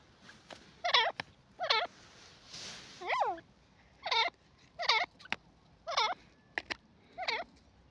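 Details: Grey francolin calling: loud, ringing notes with rising, hooked shapes, given in quick clusters about every second and repeated over several seconds, with a faint hiss of background noise.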